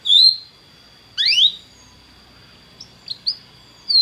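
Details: Belgian canary offers scattered song fragments: a loud whistled note, a rising buzzy sweep, then a few short soft chips, with quiet gaps between.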